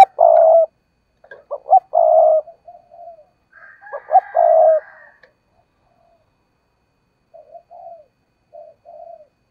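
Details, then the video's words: Spotted dove decoy bird in fiery, urging coo: loud deep phrases of short clipped notes and long hoarse coos repeated twice, then softer scattered low notes trailing off. "tiếng cu gáy/ chim cu gáy mồi cây thúc gù căng lửa"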